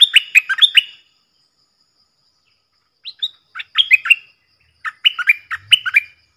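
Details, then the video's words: On 31 July 2021 four bulbul decoy birds call in three bursts of quick, bubbly, chirruping notes separated by pauses of about two seconds, with a faint low thump near the end. "เสียงต่อนกดอกแตงEp.68 เสียงต่อจากป่าจริงๆ นกต่อ4ตัว!!! Suara merbah lekir gacor"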